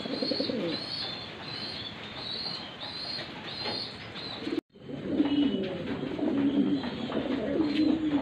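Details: Fantail domestic pigeons give low, rolling coos that overlap one another, with thin high chirping from other small birds throughout and a brief break midway.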